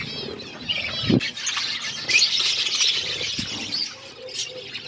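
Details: Flock of budgerigars feeding, layered high warbling chirps and squeaks from many birds, with a few sharp knocks and a faint low hum.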